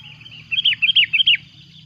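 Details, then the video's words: Loud calling of a sooty-headed bulbul as a rival comes near: a rapid run of about six rich, rolling whistled notes, rising and falling, with a steady high-pitched hum behind. "Suara buRung kutilang ribut memanggil!!!! lawan pun datang."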